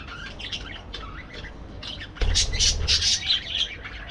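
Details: In an aviary, parakeets give scattered thin chirps before a sudden louder outburst of rapid, overlapping squawking chatter about halfway through, with a thump-like low noise at its onset.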